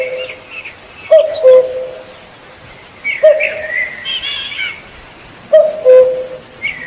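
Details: Somewhat distant cuckoo giving its falling two-note call three times at irregular gaps of two to four seconds, with other birds chattering higher in the background.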